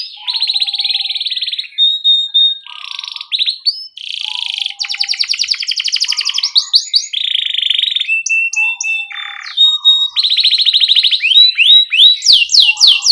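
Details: Canary song for training young canaries: long varied sequence of buzzy rolling trills, steady whistled tones and rapid chip series, changing phrase every second or two, ending with quick descending sweeps.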